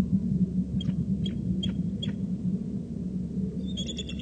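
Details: Three eagles calling: a series of thin, high, slurred notes spaced roughly half a second apart, ending in a quick burst of sharper chittering notes, all over a steady low rumbling background.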